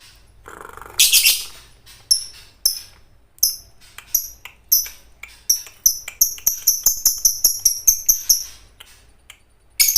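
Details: Fighter-type lovebird singing in a training recording meant to provoke other lovebirds to sing: shrill, sharp chirps, first scattered, then a rapid run of bright repeated high notes, each about a quarter second apart, ending abruptly.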